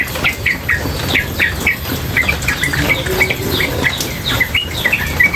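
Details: Yellow-vented bulbul, female, chattering without pause in a training recording with running water: dense, slightly uneven sequence of short chirped and trilled notes, some rising, over steady water hiss.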